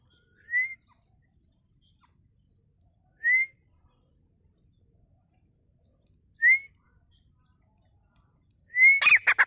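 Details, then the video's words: A grey francolin, locally called kowthari or teetar, giving clear, short rising whistled notes about every three seconds in near silence, with a burst of harsh noise at the end. "Grey francolin Bird Sound//Kowthari Sound // Teetar ki Awaz"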